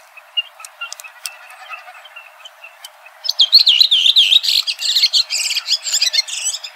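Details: After quiet background with faint distant chirps, a red-throated thrush bursts into a rapid, loud jumbled warble of high squeaky and twittering notes for the final few seconds.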